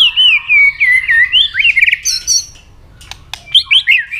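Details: White-rumped shama fighting song with double notes and tail clicks, aimed at stirring a rival: fast chain of warbled, twisting whistles, a pause with sharp clicks, then renewed bright warbling.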